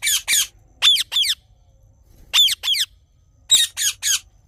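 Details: Harsh, piercing squawks from a rose-ringed parakeet in the morning, delivered in clusters of two or three with pauses of about a second between clusters.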